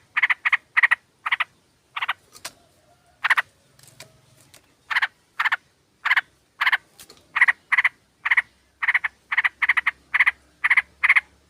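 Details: Female sooty-headed bulbul calling a male, intended to lure birds. Long run of harsh chattering bursts, with a short pause near the middle before the rapid chatter resumes.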